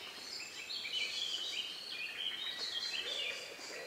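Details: Evening birdsong in the countryside on May 2, 2020, around 9 p.m., a few minutes before night, among the last birds singing; several faint, overlapping high warbles and whistles run continuously through a quiet rural background.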